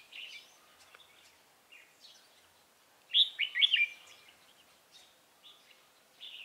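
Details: Decoy red-whiskered bulbul singing to draw rivals into a trap, 28 October 2018; soft scattered chirps, then one loud rolling warbled phrase of several quick notes, followed by more faint chirps.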